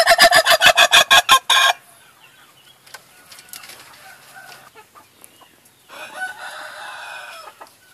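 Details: Laughing chicken rooster with a rapid staccato crow of about eight loud, evenly spaced harsh bursts in under two seconds, like laughter, then quiet scratching, soft distant calls and a low murmur.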